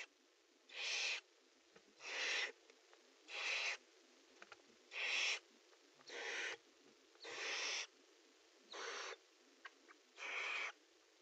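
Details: Eight hoarse, hissing screeches from barn owls in a nest box at prey transfer and mating time, each about half a second long and repeated roughly every one to one and a half seconds over near silence.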